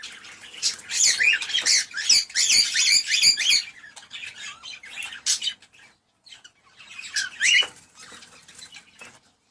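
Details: Cockatiel calls played to encourage breeding: dense bursts of harsh, chattering chirps for about four seconds, a quiet gap, then a shorter burst of scratchy chirps near the end.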